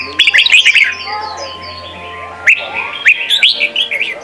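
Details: Red-whiskered bulbul singing a Sông kon training song for young birds: a quick burst of warbled whistles, a quieter stretch of softer chatter, then another run of lively slurred whistled notes, with a low hum.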